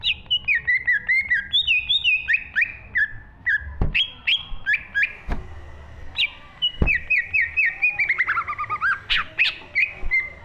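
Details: Cucak ijo (green leafbird) in continuous 'gacor full isi' song: dense, varied whistled phrases that slide and flick, with many quick notes, a few sharp clicks or knocks, and a faint low hum.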